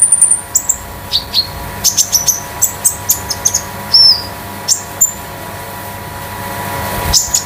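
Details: Caged konin sunbird kept at home as a master tutor bird, uttering spaced sharp high chirps and brief downslurred whistles, irregularly timed, with a quiet stretch near the end.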